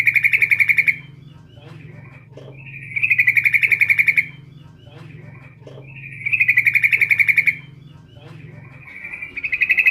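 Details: Female sooty-headed bulbul calling the male: rapid, high, buzzy chattering trills, each burst about a second long, repeated roughly every three seconds, with faint softer notes between and a low hum beneath.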